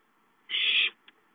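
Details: ['An owlet at home calling for food on 5-9-13: a single steady, harsh hissing screech lasting under half a second, followed by a tiny click.']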